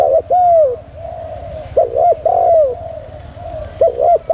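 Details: Female spotted dove coo phrases: a long smooth falling coo, a softer low stretch, then doubled quick notes leading into further drawn, gently descending coos; faint constant hiss.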